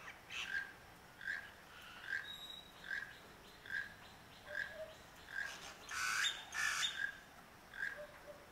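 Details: A Honduran toucan singing near Las Vegas, Santa Barbara, close to Santa Barbara mountain, gives a steady series of croaking, frog-like notes, a little over one a second; higher chirps from another bird break in near the end.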